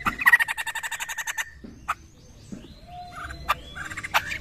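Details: A laughingthrush (poksay) gives a fast, gobbling chatter of about fourteen pulses in under two seconds, then scattered harsh notes and short whistles. The sound is used as a lure to draw a response from other poksay.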